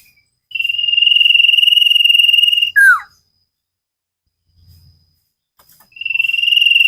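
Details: Common iora song from a cage-bird training recording: a long, high, pulsed whistle held level for over two seconds, snapping into a falling slurred note, then a pause and the whistle starting again.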